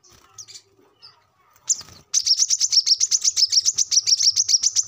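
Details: Brown-throated sunbird, 'gacor ngobra' song played as a lure to captive birds: quiet faint twitters for two seconds, then a sudden, fast, even sequence of loud, high, piercing chips to the end.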